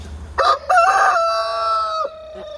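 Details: A rooster crowing: a short opening note, then a long sustained, slightly falling tone lasting over a second, which cuts off abruptly.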